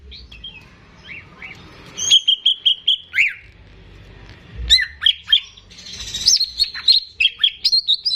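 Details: Caged greater green leafbird singing to prompt untrained birds: soft notes, then a clear run of repeated sharp whistles, a pause, and varied loud slurred whistles and chirps in quick succession.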